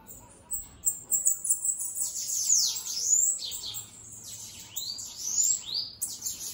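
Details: Free-flying bananaquit singing after a quiet opening second: rapid, very high, thin sibilant notes and downward-arching sweeps, run together into a buzzy twittering string with brief pauses.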